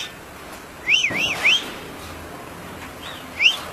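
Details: Grey-backed shrike (Lanius tephronotus): three clear arched whistled notes in quick succession near the first second. After a pause come two more similar rising-falling whistles. Faint steady background hiss.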